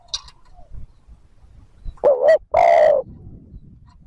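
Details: Spotted dove cooing in the thúc gù style meant to lure wild doves: faint low murmurs, then one loud pair of hollow coos, a brief wavering note followed by a longer steady one.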